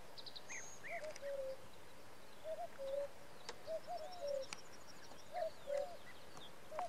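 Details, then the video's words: Three male common cuckoos call on a June 2017 evening in Samara region, Russia, overlapping their falling two-note "cu-coo" calls every second or two, with thin chirps of small birds above. "Хор кукуев"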